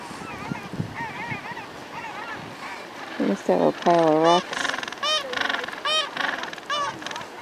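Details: Wild gentoo penguins calling from their nests, which are simple piles of rocks, in Antarctica. Faint wavering calls come first. From about three seconds, loud harsh braying bursts follow, with a rapid pulsed series of honking notes to the end.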